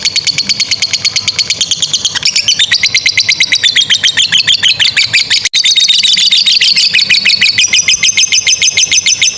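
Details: Lovebird singing a long ngekek chatter used as a master recording to train young or silent lovebirds; a rapid, continuous, high, buzzy stream of repeated notes, about two per second cycles, shifting pitch slightly, with no other sounds.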